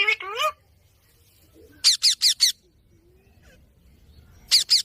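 A rose-ringed parakeet gives a rapid burst of four shrill, harsh screeches, then two more, after a brief chattering note at the start.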